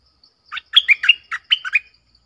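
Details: Lively 'double' song of a red-whiskered bulbul, sweet and clear, used to lure birds: a run of about seven quick whistled, slurred notes rising and falling, packed into roughly one and a half seconds.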